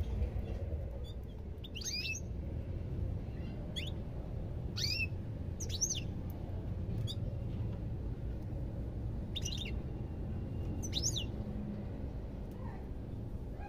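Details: European goldfinch singing in sparse phrases: short bursts of quick sliding chirps every second or two, with quiet gaps between and a low hum behind.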